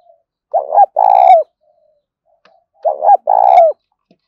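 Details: Spotted dove coos used for luring: two loud phrases, each a rising stuttered pair of notes leading into a long, buzzy, throbbing coo that drops at the end, about two and a half seconds apart.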